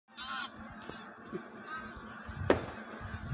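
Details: Wild geese gathering to migrate: a dense chorus of overlapping honks from many birds, with one clear harmonic honk near the start and a sharp bang partway through.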